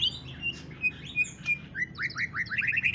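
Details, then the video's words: Greater green leafbird song, 'ngentrok' style, used to encourage other leafbirds to sing: soft slurred whistles, then a rising series of five quick upslurred notes with high twitter above. "CUCAK IJO NGENTROK | CARA PANCING BURUNG CUCAK IJO SUPAYA GACOR | SUARA MEWAH"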